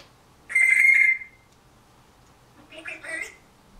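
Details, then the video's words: Pet African Grey parrot about one year old, recorded indoors in September 2010 mimicking human words: a loud flat whistle held under a second, silence, then a rapid cluster of speech-like syllables. "African Grey Parrot - Talking"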